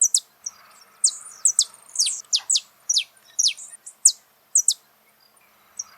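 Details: Saffron finch singing live in the wild, delivering dense clusters of sharp, high descending chirps, some doubled, with short silences between bursts.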